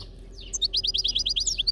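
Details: European goldfinch in nature giving a quick, evenly spaced run of about a dozen sharp, high chirping notes after a few softer twitters.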